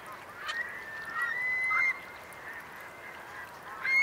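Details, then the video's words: Eurasian curlews among a high-tide roost of about 3,000 birds in wet meadows of Marquenterre, Bay of Somme, France, 7 October 2021; a few rising whistled calls over a steady background hum of distant birds. "Courlis cendré / Numenius arquata / Eurasian Curlew"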